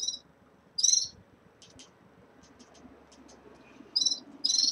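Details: Red-fronted serins kept in a cage at the onset of moult utter harsh, buzzy high chirps in pairs at the start and end, with faint ticking notes between and low background hum.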